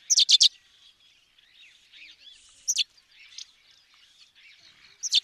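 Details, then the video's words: Sparrow from Africa opening with a rapid string of four loud chirps, then isolated single and double chirps, while other birds warble softly behind. "Воробей. Африка. Голоса птиц"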